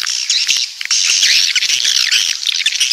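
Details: Coastal swiftlets from the south in a loud, unbroken mass of high squeaky chirps and buzzy twitters, with a few dry clicks.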